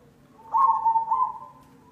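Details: Zebra dove (perkutut cemani) used as a lure to prompt singing: a single loud, rolling coo phrase lasting about a second, with a quiet low hum behind it.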